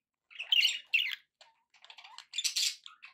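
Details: Happy pet budgerigar chatter in a short burst: two loud harsh squawks, a pause, then softer clicks, a brief whistled note and a final raspy squeal.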